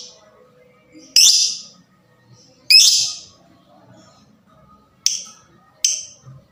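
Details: Lovebird fighter, its rapid voice used to excite other lovebirds: four harsh screeches, the first two loud and drawn-out, the last two shorter, spaced one to two seconds apart.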